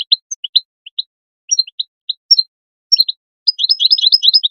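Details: European goldfinch call song, played to stimulate goldfinches to sing, with bright, tinkling high chirps in scattered bursts building into a rapid liquid twittering run at the end.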